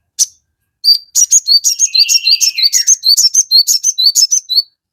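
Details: Crested jay singing energetically, played to make other birds respond quickly: a fast string of crisp chirps and short upward-flicked whistles, with a drawn-out lower slurred note running beneath part of the series.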